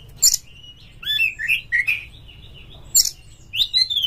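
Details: Kacer, the Oriental magpie-robin, sung as a lure to provoke mating-mood singing: a series of upslurred whistles interrupted by harsh, hissy rasps, ending in a sweet descending warble.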